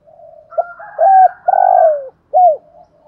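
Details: Spotted dove kept as a decoy bird in Vietnam, of the prized "giọng thổ" voice type, giving loud cooing calls: a short note, a held coo, a long rolling coo sliding downward, then a clipped final coo, with soft murmuring before.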